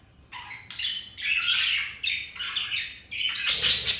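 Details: Pet budgies flirting, mating and playing produce continuous scratchy warbling mixed with sharp chirps, rising in intensity toward a shrill final burst.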